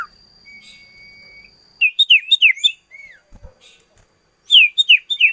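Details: Song of the common iora, a thin sustained whistle followed by fast clusters of loud, sharp, looping whistles, a short gap, then another quick burst.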